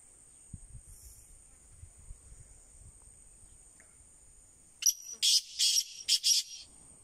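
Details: Low rumbles and faint knocks, then a black francolin breaks in with a loud scratchy phrase of roughly five rasping notes, backed by a continuous high hiss.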